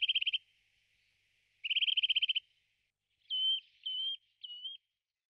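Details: Eurasian nuthatch in the Czech Republic: two fast, rattling trills of evenly spaced piping notes, each under a second, followed by three separate short whistled notes that rise and then level off.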